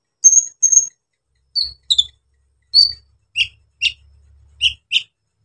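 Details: Brown-throated sunbird giving rough song material to provoke other sunbirds: two thin high whistles, then spaced sharp descending chips, roughly one every half second, with faint low thumps.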